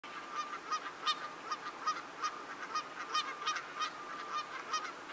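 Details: Lesser white-fronted goose (Anser erythropus) flock in Geel, Belgium, January 2020: several birds overlap in high, squeaky yelping calls, a rapid uneven chatter of about three calls a second.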